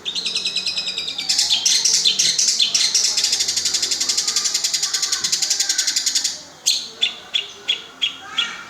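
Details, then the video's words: Long-tailed shrike (cendet) with mimicked lovebird, sparrow and grasshopper sounds: a long, very fast buzzing trill of high notes lasting about five seconds, followed by separate sharp chirps about every half second. "Cendet isian love bird gereja walang"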